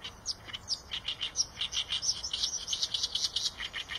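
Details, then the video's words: Eurasian tree sparrow giving rapid, dense high chirps, short bright notes tumbling over one another for four seconds, with several birds seemingly calling together against a faint hiss. "tiếng chim sẻ đồng"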